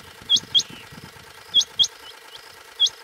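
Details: Female rain quail calling in July 2024 on the outskirts of Bhigwan, Kumbhargaon, India: sharp, high, clipped notes in close pairs, each pair about a quarter-second apart and repeating every one to one and a half seconds, over a low engine idling hum.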